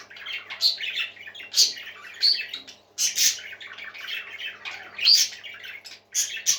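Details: Parakeet song indoors, busy warbling with repeated sharp high whistles and scratchy squawks, bursts roughly every second amid constant twittering.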